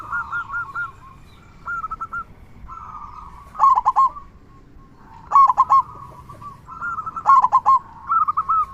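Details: Local zebra dove (perkutut lokal), singing actively with a big 'kung' voice. Played as a lure to prompt other zebra doves to sing. Soft cooing phrases build into loud stuttering trills, about four bursts across the clip.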